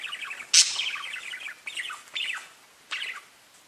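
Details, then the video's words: Parakeets talking to each other: a harsh loud squawk at half a second followed by rippling warbled chirps, then a few separate short twittering phrases that trail off. "Parakeets Bird Chirping and talking to each other"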